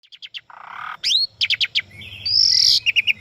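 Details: Asian pied starling song in a track for training captive birds, mixed with flowing river and nature sounds: quick chipping notes, a buzzy burst, rising whistled sweeps, rapid clicks, then a long bright whistle and short repeated notes.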